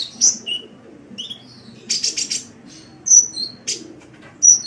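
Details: Sunbird singing, meant as a master recording for songbirds: piercing short whistles, a lower slurred note, and a brief rattling buzz between isolated sharp chips.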